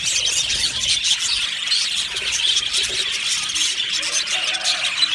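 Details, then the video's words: Aviary flock of happy budgies chirping together, a steady, busy blanket of high twittering and scratchy warbles with no pauses throughout. "Happy Budgies chirping sounds | Budgies sounds"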